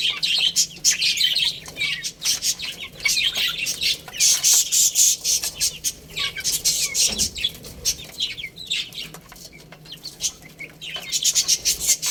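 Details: A group of young chicks playing and eating: dense high-pitched cheeping in quick falling notes, rising and fading in waves, with frequent sharp clicks of beaks on food or ground.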